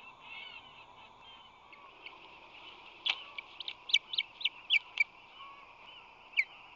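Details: Ospreys at a nest on San Francisco Bay, March 2020, as the male flies in with a fish in his talons while rushing to defend the nest. After a quiet start comes a burst of sharp, high whistled chirps, roughly eight notes in about two seconds. A steady hum runs underneath.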